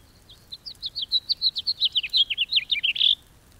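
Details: House finch (Haemorhous mexicanus) song: a loud, fast cascade of about twenty warbled notes, rising and falling in pitch, ending with a buzzy downward slur.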